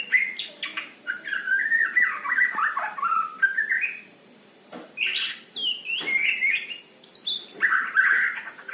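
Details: Male white-rumped shama of the trotol type in a long, varied song. Rich whistled phrases twist and warble in bursts, broken by a short pause, then sharp high notes and further rapid, fluting runs.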